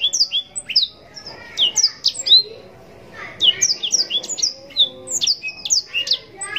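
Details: Yellow-rumped serin, called blackthroat, in a 'gacor' song bout: varied high twittering with quick slurred whistles, one short pause, then a longer lively chain of sharp chirps and trills.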